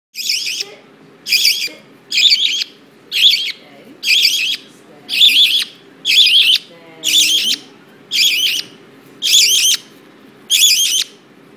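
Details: A parakeet, recorded 7/5/10, gives harsh, scratchy screeches, about one each second in a steady series, with a faint low murmur underneath.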